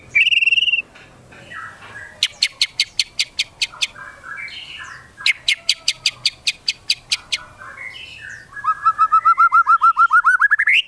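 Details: White-rumped shama singing as a lure to stir other shamas to sing: a bright whistle, then fast runs of sharp high ticks mixed with lower warbles, ending in a quick rolling series of rising slurred notes.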